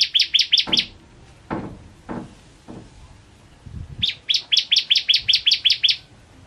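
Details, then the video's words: Bar-winged prinia, kept as a song-tutor bird, sings a rapid run of sharp, high chirping notes, about six in a second, then a second matching burst after a pause; low thumps and knocks sound in between. "Burung Masteran Ciblek Kristal Gacor"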